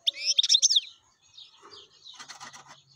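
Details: Wild European goldfinch singing: a quick burst of bright twittering notes with rising and falling slurs, then softer scattered chirps and a buzzy trill toward the end.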